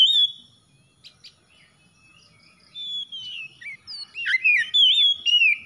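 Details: Oriental magpie-robin starting with a single whistle, then near quiet, before building into soft and then loud, rapid warbled whistles and chips.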